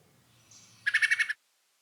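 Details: Wood Thrush during fall migration in Kentucky woods, giving its typical migration call, usually heard very early morning or late: a quick burst of about six sharp, snappy 'pit' notes in half a second over faint low hum.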